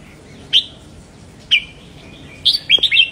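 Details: Red-whiskered bulbul song used to rouse caged birds: two separate sharp whistled chirps followed by a quick burst of four bubbling notes.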